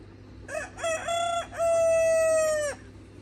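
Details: Free-range Red Mía rooster crowing among a flock of hens on a farm: a loud crow of short rising notes, then one long, steady, harmonic-rich drawn-out note ending abruptly.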